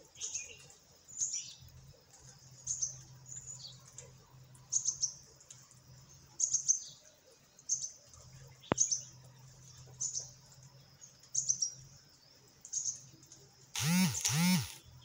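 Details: A group of parakeets give short, thin, high chirps about once a second over a steady low hum, ending in a loud harsh squawk.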